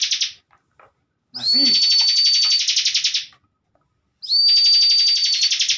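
Bar-winged prinia gives two long, high, buzzing rattles about two seconds each, with a thin steady whistle running over the top.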